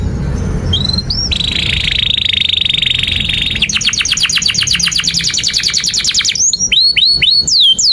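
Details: Canary in long continuous song, used as a tutor for young canaries learning to sing: a high buzzy sustained trill, then a fast rolling trill of rapid repeated notes, ending in separate upward-hooked chirps.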